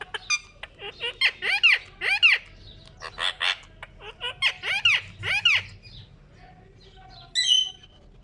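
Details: Ring-necked parakeet kept as a pet, calling while at a mirror. Harsh rising-and-falling screeches mix with short chattering notes in irregular bursts. There is a pause of quieter murmuring, then one final sharp call near the end.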